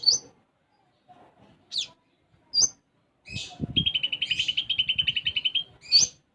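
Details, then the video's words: Sunbird song with sparrow-style phrases: scattered high chirped notes, then a long, steady, buzzy trill of rapidly repeated notes lasting about two seconds, ending in a sharp, high upslurred chirp. "Konin Gacor Isian Gereja"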